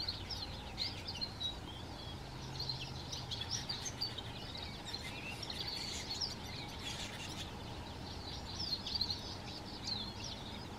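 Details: Atlantic canaries feeding in Moya, Gran Canaria, November 2024, one bird driving the others off the food: repeated thin, high chirps and brief twitters from several birds, with constant low background hum.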